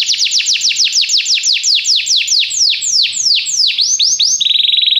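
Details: Canary song used for training a canary to sing: a long series of rapid downward-sweeping whistled notes, gradually slowing, ending in a steady fast trill.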